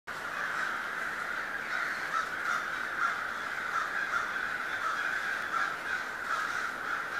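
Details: Large flock of crows at Schenley Farms in Oakland, Pittsburgh, on October 25, 2013, gathering as they do each October amid city buildings and cars; dense overlapping harsh caws merge into a continuous chorus.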